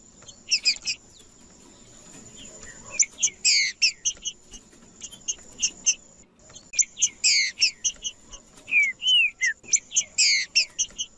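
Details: Male green-winged saltator in aggressive territorial song meant to stir rival males into singing: two clusters of sharp clipped chirps and short whistled slurs, separated by a brief pause, with a constant thin high tone behind.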